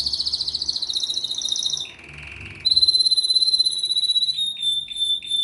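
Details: A canary singing: high, rapid pulsed trills, then a lower buzzy rattle, then a sustained very high whistled trill breaking into quick chirped notes, bright and continuous.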